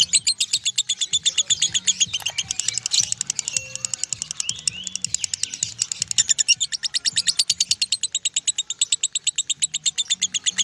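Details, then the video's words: Lovebird delivering ngekek, the continuous long-running song: dense stream of shrill, clipped chirps pouring on without pause, briefly blurring into a buzzier jumble near the middle, soft low hum beneath. "LOVEBIRD NGEKEK 1 MENIT LEBIH"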